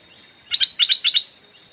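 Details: A Thai decoy Stripe-throated Bulbul, calling to lure in wild bulbuls, gives three quick paired chirps, bright and slightly bubbly, about a quarter second apart over a quiet background.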